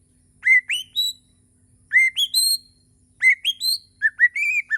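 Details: Bornean white-rumped shama singing in the morning: three phrases of clear rising whistles stepping upward, each with two or three notes, ending with slurred mid-pitched whistles; quiet low background hum.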